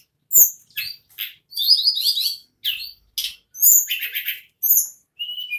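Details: In nagen ngerol song, an ashy tailorbird (tledekan or sulingan gunung) gives a sharp high note, scratchy chirps and a wavering warbled phrase, then more clear whistles and trills.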